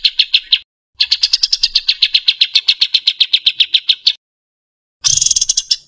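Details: Bird singing harsh 'tembakan' masteran material meant for training caged songbirds: a long, fast series of evenly repeated high chipping notes, roughly four per second, followed by a pause and a brief burst of buzzier higher notes.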